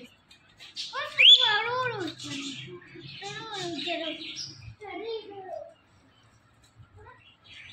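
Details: Indian ringneck parrot talking, repeating a short word-like phrase in a high, nasal voice with clear rising and falling syllables, a few softer mutterings after, then quiet.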